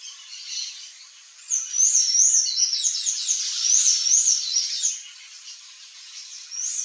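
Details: A Palm Tanager (Thraupis palmarum) feeding on Embaúba fruits gives high, thin squeaky notes in quick, slightly irregular bursts.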